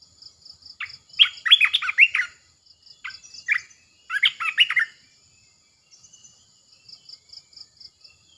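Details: Caged decoy red-eyed bulbul gives repeated bursts of bubbly, gurgling warbles with short pauses between, while a cricket pulses steadily at high pitch.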